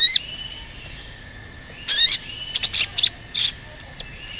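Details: Crested jay (sogon) in active song, used as a lure to provoke other birds to sing: sharp high chirps and short buzzy bursts in irregular clusters, with a steady thin high whine in the background.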